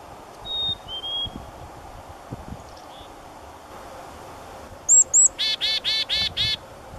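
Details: Black-capped chickadee call: a few high clear whistled notes, then five harsh, buzzy, evenly spaced 'dee' notes, with faint thin whistles from other birds earlier.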